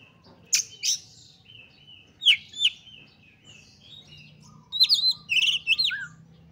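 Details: Excited Oriental magpie-robin singing to provoke rival magpie-robins: scattered sharp chips and a drawn-out level whistle, then a closing burst of rapid rising and falling whistled notes ending on a lower slur, over a soft low hum.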